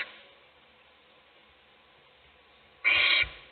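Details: An owl gives one harsh, hissing screech lasting about half a second, breaking a near-silent stretch, in a nest box where an adult feeds one chick while the other chicks sleep.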